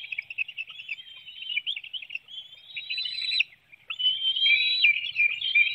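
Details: Bald eagle nest in Hanover, Pennsylvania, at 7:04 a.m., June 9, 2019, while a parent delivers a small fish and feeds a nestling and the other young hops and flaps. Shrill chittering whistles run continuously, with a short pause near the middle.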